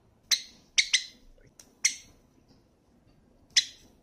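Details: Java sparrow, a pet bird, giving short sharp chip notes, single and in a quick pair, spaced irregularly across a few seconds in a quiet room.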